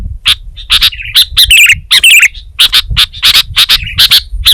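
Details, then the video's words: Sooty-headed bulbul singing energetically (gacor), with rapid chirps in pairs and a couple of rich, warbling whistled phrases in the middle. "Suara Burung Kutilang Gacor"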